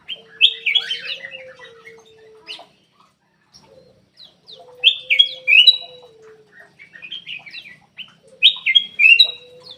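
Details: A Ruby-throated bulbul lure song is meant to stimulate caged birds that are slow to sing. Warbled whistled phrases repeat about every four seconds over a steady, low, drawn-out tone.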